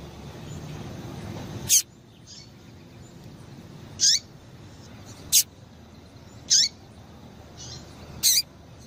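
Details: Female double-collared seedeater calling to stimulate a male: a series of high, thin chirps with dropping tails, about one every one to two seconds, some abrupt and clipped, plus faint softer notes, over low hiss.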